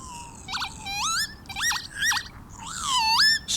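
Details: Northern lapwing near Liverpool, UK, in spring (mostly April/May), doing its attention-grabbing song flight high overhead: wheezy, swooping, almost electronic notes that slur sharply upward in time with the dive, about five phrases in under four seconds.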